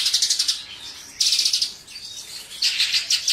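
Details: Mongolian lark (Melanocorypha mongolica), song.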